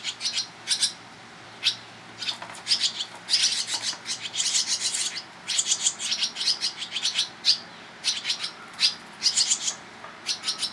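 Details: In Toronto, Ontario, Canada, in July, barn swallow parents feed their young: a busy stream of high, scratchy, rasping chirps in tight bursts, almost continuous over the whole stretch.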